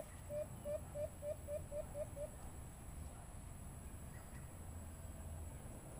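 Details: Call of a white-eared brown dove broadcast through a Bluetooth speaker while hunting birds: nine quick, evenly spaced low hoots in just over two seconds, then only low rumbling background noise.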